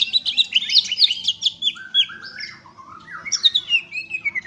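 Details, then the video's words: Greater green leafbird with a rapid, high twittering burst followed by longer slurred whistles stepping downward, then another chattering phrase ending in falling notes. "burung cucak ijo"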